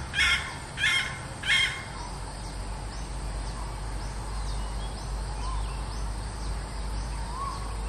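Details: Red junglefowl hen, a decoy bird, giving three harsh, raspy calls about two-thirds of a second apart. Faint whistles from other birds follow over a steady low rumble.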